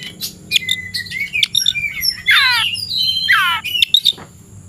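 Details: Oriental magpie-robin on an afternoon, ready to take on a rival: sharp chirps and whistles followed by two loud harsh rasping squawks, each lasting about half a second.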